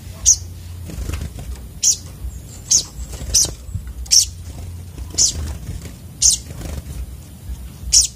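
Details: Sunbird, locally called sogok otong, giving sharp, very high thin chirps, one about every second across eight seconds, each a brief bright note, over a steady low hum and faint background noise.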